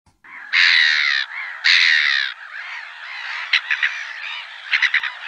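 Black-headed gull giving two long, harsh, rasping screeches about a second apart, followed by softer chattering notes and a few short, sharp clicks.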